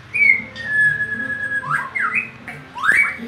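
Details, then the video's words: Oriental magpie-robin in full song: long, level whistled notes followed by quick slurred sweeps up and down, with a faint hum and murmuring voices behind. "burung murai ngacor dahsat"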